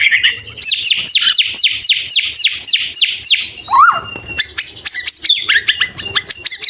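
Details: White-rumped shama in a training recording of full fill phrases and rapid bursts for young and adult birds: about a dozen loud swept whistles repeated quickly, a low liquid note, then varied high chirps.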